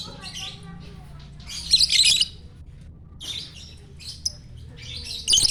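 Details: Morning song of a champion lovebird at Parahyangan Village in Jatihandap, Bandung, welcoming the sunshine: dense, scratchy, high-pitched chattering in several bursts, the longest near the middle, with soft human voices underneath.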